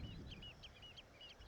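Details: A Common Redshank, a ground-nesting wader, on North Uist in the Outer Hebrides, Scotland, in early June, gives sharp, fluting alarm notes, repeated several times a second over a low background rumble of wind or distant traffic.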